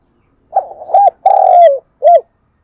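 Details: Spotted dove kept as a decoy, calling in the morning: a rough wavering note leads into a hooked coo, a long descending coo and a closing short rounded coo, all resonant and clear.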